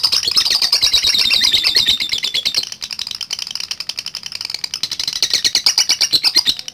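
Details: Long ngekek chatter from a lovebird, used to provoke rivals: dense, rapid high rasping pulses, very loud at first, briefly softer midway, then building again.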